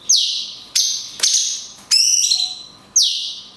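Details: Cungkok in long 'kunti' shot song with natural gaps, meant for training songbirds: quick loud swooping-down whistles and sharp clicks, then a buzzy, harmonic rising note and a final falling whistle over low hum.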